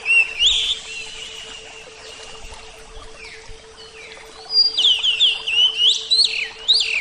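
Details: Oriental magpie-robin, Javan type, with bursts of sweeping whistled and warbled phrases at the start and end, a quieter stretch between, and a steady low hum underneath.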